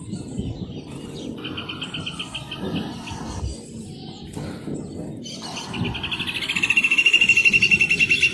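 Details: Rufous hornero: a soft burst of repeated notes early on, then a louder, rapid trill of ringing notes builds over the final two seconds against steady outdoor background noise.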